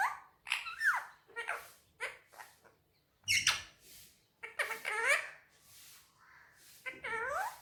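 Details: Indian ringneck parakeet chattering Urdu/Hindi speech on a table, clipped voiced syllables with sharp downward-sweeping tones, a few louder bursts and quiet gaps, small indoor room.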